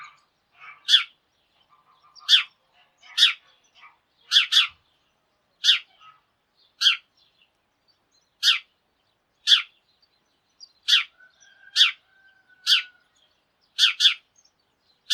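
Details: Morning chorus of a sparrow flock: a long run of sharp, bright chirps, each lasting a fraction of a second and repeated roughly every second, some paired close together.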